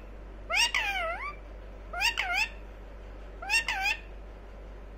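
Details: A pet talking ringneck parakeet named Titu speaks in three short bursts, each of two or three nasal, wavering, speech-like syllables, roughly every 1.5 seconds, over a steady low hum.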